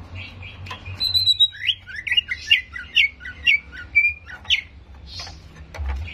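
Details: Greater green leafbird in a recording played to raise another bird's aggression: a long high note, then a jerky sequence of sliding whistles and chips, with softer calls trailing off.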